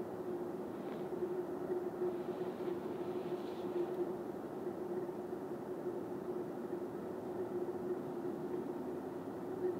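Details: A steady low engine-like drone fills the recording, with no animal calls.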